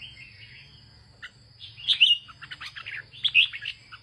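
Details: Northern-style song from a farmer's red-whiskered bulbul: quiet opening, then a burst of loud, bubbling whistled notes and quick chirps around the middle and end, over a steady high-pitched hum.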